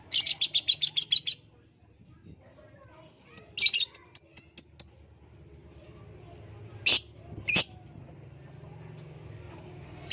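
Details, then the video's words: Lovebird sound used as a lure to make lovebirds sing: a quick burst of shrill high chirps, a pause, a second series of sharp chirps, then scattered single loud chirps over soft background noise. "pancingan ampuh love bird jadi bunyi"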